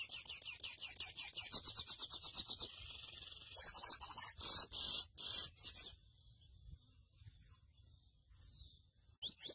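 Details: Grey seedeater, known as mochuelo, begins with a fast, high trill of evenly repeated notes, followed by several loud clattering bursts and then near quiet with faint distant twitters.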